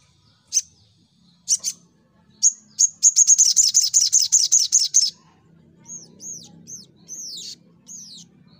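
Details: Sunbird singing in fighting mode: sharp high chips build into a fast, rattling trill, then soft, high, arched whistles follow over a low murmuring background.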